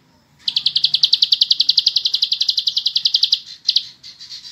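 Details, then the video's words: A bar-winged prinia sings continuously for use as a tutor recording: a rapid, even string of high chipping notes, about ten a second for three seconds, then a brief pause and a few more. "MASTERAN BURUNG CIBLEK SAWAH FULL BREN"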